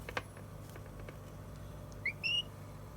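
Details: Well-fed African grey parrot ends a quiet stretch of soft taps with a brief chirp and then a short level whistle.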